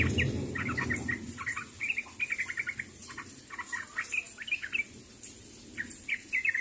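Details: Sooty-headed bulbul calling to others: a busy run of short bubbly chirping notes, many quick phrases in succession, with low rumbling background noise at the start.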